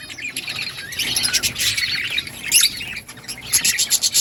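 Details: Budgies chattering in a steady stream of high, scratchy chirps and warbles, rising into denser bursts near the middle and end, with sharp clicks mixed in.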